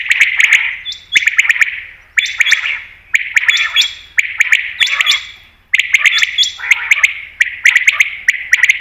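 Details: A common quail, possibly a female, gives bright, liquid, high-pitched calls in quick bursts about once a second, with sharp clicky notes between them; a call used as a hunting lure.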